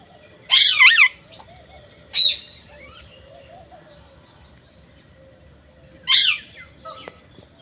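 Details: Parrot calling in three separate bursts: a harsh double screech, a short rasp, then another screech after a long pause, with faint hum throughout.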